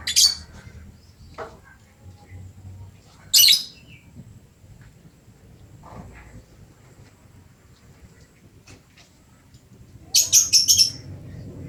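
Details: Lovebird singing energetically: sharp high shrill bursts of rapid chattering notes at intervals, with a longer stuttering burst near the end, quiet pauses and faint soft chirps between.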